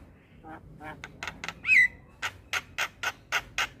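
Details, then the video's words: Javan pied starling singing in the morning, a series of harsh broadband chattering notes with one bright whistled slur near the middle, then evenly spaced rasping bursts about every quarter second. "Suara Kicauan jalak Kebo P{agi Hari Bikin Burung jalak Muda cepat niru Suaranya"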